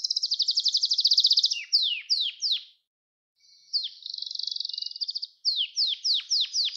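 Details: Gloster canary song used for training and stimulating young canaries to sing: fast buzzy trills alternating with repeated descending whistled slurs, a brief pause midway, clean recording with no other sounds.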